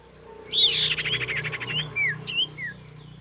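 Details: A female common iora calls for a male: a sharp note, then a short fast pulsed trill and several clear slurred whistles, over a steady low humming background.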